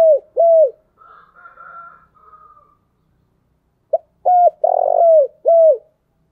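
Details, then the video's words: Spotted dove decoy call for luring doves: two falling coos, a pause with faint softer hooting, then a short note, a coo, a rough buzzy coo and a last falling coo, all low and clean. "tiếng cu gáy mồi chuẩn dùng kích bổi hiệu quả"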